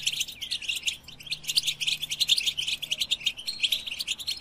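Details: A European goldfinch song of quick, high, liquid twitters, with separate chirps and short buzzy phrases and a brief lull about one second in.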